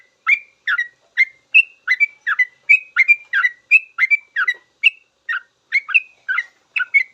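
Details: Sooty-headed bulbul delivering full song for tutoring cage birds to sing; a steady, fast stream of around twenty liquid whistled notes, some slurred downward, some flat and ringing, in clean quiet surroundings.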